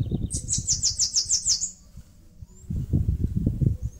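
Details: Sibilant, hurried song of a Bananaquit nest-building in a mandacaru cactus in northeastern Brazil: about nine rapid high buzzy notes in under two seconds, followed by low rumbling background noise.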